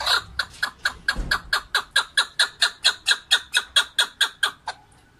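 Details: Keklik or chukar partridge song: a run of sharp, ringing chuk notes repeated roughly twice a second, brisk and regular, fading out near the end with a low thump early on.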